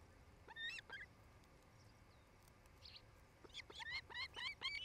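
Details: Nesting osprey pair on a camera at Charlo, Montana, 8 July 2018, late afternoon: a few scattered whistled notes, a quiet gap, then a quickening series of bent, chirping whistles over steady background hiss.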